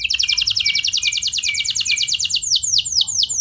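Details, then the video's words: Canary lure song to make other canaries sing, a rapid steady rolling trill of many quick notes that opens out near the end into a few broader downward sweeps. "Pancingan Ampuh Bikin Kenari Lain Bakal Ikut Gacor Do0r Dengan Pancingan Ini! Langsung Nyaut Ngeroll"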